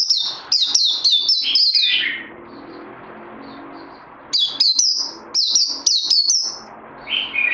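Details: Songbird needing more training after Covid-19, recorded 18 May 2020: a burst of shrill rapid chirps ending in a downward slur, a quiet gap, then more high staccato twittering phrases.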